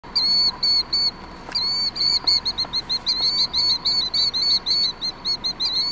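Killdeer giving shrill, high, slightly inflected notes in a fast, uneven series of about three per second, with a few faint clicks behind.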